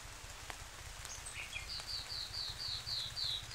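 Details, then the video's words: Nightingale singing: a steady run of high, clear repeated notes, about five per second, after a couple of brief higher chirps, with rain pattering throughout. "Nightingale's sound & song"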